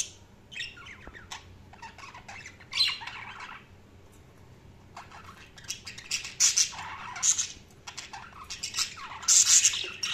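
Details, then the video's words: Chirping budgies in two bursts of dense, scratchy chatter and squawks, split by a quiet pause of about a second midway. "Budgies Sounds| Budgies Chirping sound"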